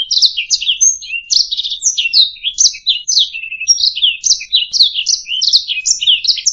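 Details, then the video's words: Canary song used as a master recording for training other songbirds: a dense, continuous warble of quick buzzy and trilled high notes, rapid varied syllables tumbling without pause, with short whistled tones mixed in and no other sounds. "SUARA MASTERAN - Ocehan Burung Kenari"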